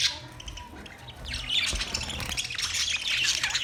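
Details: Budgerigars chirping: a quieter opening gives way after about a second and a half to dense, high, scratchy warbling and squawky chatter that runs on to the end, with a low background rumble.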